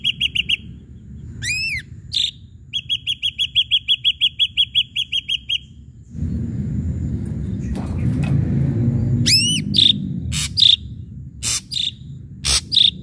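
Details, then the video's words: Ashy drongo, singing to provoke other birds to sing: two runs of rapid clipped piping notes around rising whistles, then a noisy rushing stretch, then ringing sweeps, sharp rasps and short whistles. "srigunting abu abu gacor PANCINGAN"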